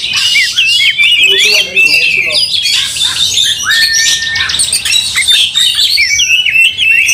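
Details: Fighting Oriental magpie-robins, emotional and tail-fanned, stirring rivals to fierceness; harsh squawks mixed with sliding whistled notes and rapid scratchy chatter, one long flat whistle near the middle.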